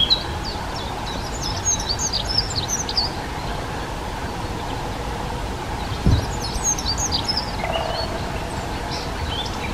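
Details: Dunnock delivering two short, high, scratchy warbling phrases several seconds apart, with a brief low thump between them and a steady background hum.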